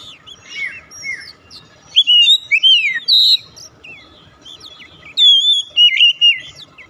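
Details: Singing Oriental magpie-robin, played to bring a silent bird back into song. Varied loud whistles come with slurred, swooping notes and a short pause. Then comes a final phrase of long clear whistles that rise and fall.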